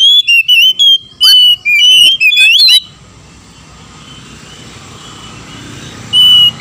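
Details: Male and female Oriental magpie-robins calling back and forth as a lure to excite other birds: nearly three seconds of rapid whistled, slurred notes, then a long hushed stretch of low background hum before one more whistle.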